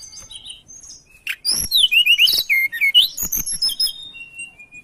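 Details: Mountain tailorbird singing energetically as a lure sound: rapid run of high whistled, wavering notes and quick slurred phrases, interrupted by sharp ticking bursts, with softer thin whistles before and after.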